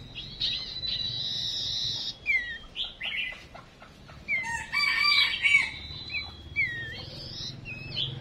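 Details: Songbird (chim chuyền) call used as a female decoy to stir males into song: a long high steady note, then short downward-sliding whistles and a loud dense chattering burst near the middle, followed by more falling whistles.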